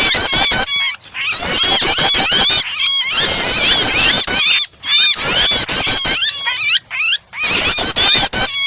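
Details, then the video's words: Starter of prinia calls combined with a distressed, trapped bird to get other birds singing: repeated loud bursts of high, rapid chattering and clicking, alternating with quieter pauses about every second or two. "starter prenjak kombinasi burung kejepit"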